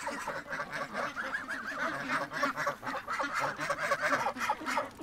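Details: Domestic goose chewing on a man's boot among free-range farm birds. It gives steady overlapping nasal honks and chatter that continue through the recording, with other geese or ducks calling nearby.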